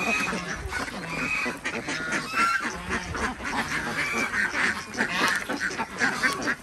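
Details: A flock of Desi ducks at a village farm in Andhra Pradesh, India, during morning egg collection; harsh, drawn-out honking quacks repeat and overlap throughout.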